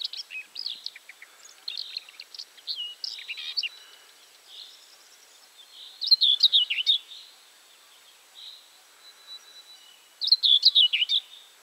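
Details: Common whitethroat at Julków, Poland, on 3 June 2017, giving short, scratchy, chattering bursts of high notes, each lasting under a second, with brief pauses; other faint bird calls in the background.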